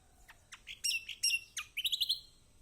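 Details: Kecial kombok, the lemon-bellied white-eye, used as a lure so a silent bird will answer: a string of high piercing chirps and slurred notes, ending in a quick buzzy trill.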